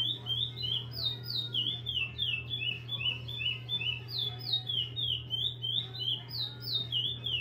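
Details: Repeater-type chestnut-bellied seed finch in captivity at a breeder's aviary, singing a long sustained series of bright, downslurred whistles at a brisk steady pace, backed by a persistent low hum indoors.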